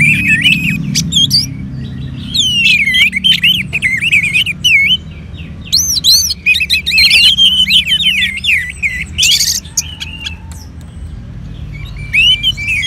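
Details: Orange-headed thrush kept in a cage, stimulated by recorded colony birdsong. It sings a long, rambling run of looping whistled phrases and rapid chattering notes. Short pauses break the song, other birds overlap, and a soft low rumble runs beneath.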